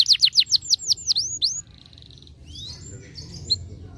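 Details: Canary song to stimulate a lazy canary: a quick burst of about eight rising-falling whistled notes lasting under two seconds, a brief soft buzz, then faint scattered chirps against quiet background.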